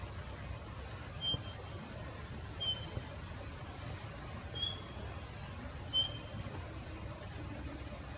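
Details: Male Eurasian bullfinch in Japan gives soft, clear piping whistles, one short note every second or so, over a steady low rumble of distant traffic.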